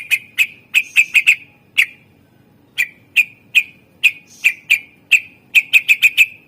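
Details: Full song of a greater green leafbird, used to lure other birds: loud, sharp whistled notes repeated at uneven intervals, sometimes in fast clusters of three or four, with one long pause.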